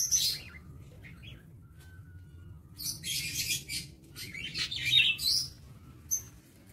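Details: Caged lovebirds in an aviary on 22 August 2023 giving shrill, high chirps and short screechy bursts in clusters, with brief quiet gaps and a faint low background hum.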